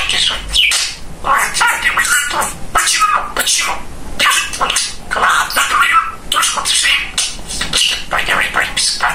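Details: Talkative pet male budgerigar chattering nonstop in a rapid, scratchy, high-pitched stream of speech-like phrases with squawky bursts. The sound is continuous with no pauses.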